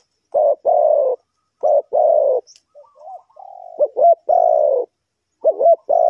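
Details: Spotted dove cooing as a lure in bird trapping: paired low coos, then softer murmured notes and a humming tone, followed by a wavering double note and a long deep coo, with the pattern starting again at the end.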